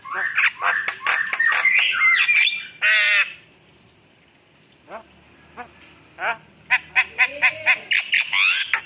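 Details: Javan myna in full chattering song rich in varied fill-in phrases: harsh squawks and buzzy notes, a loud rasping burst near three seconds, a pause, then a run of short sharp clicks and whistles.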